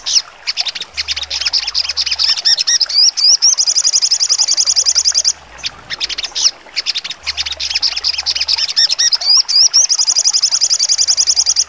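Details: Sogon bird giving sharp 'trotol' song for training contest birds: repeated cycles of whistled slurs leading into long, fast, piercing trills, broken by short spells of jumbled chirps and clipped notes.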